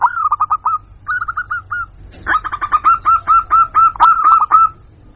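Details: Local zebra dove lure call to bring in wild birds: two short rolling coo phrases followed by a long, loud run of rapid, rhythmic stuttering notes.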